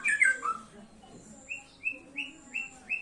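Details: White-rumped shama opening with a quick burst of tumbling warbled notes, then giving a series of short, even whistles repeated about every third of a second.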